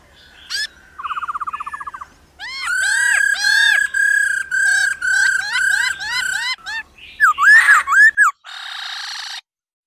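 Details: Female laughingthrush singing 'ro ro' to rouse males to sing. A brief buzzy trill opens, then a run of about nine rich, looping whistled notes, ending in a harsh rasping burst and a short noisy hiss.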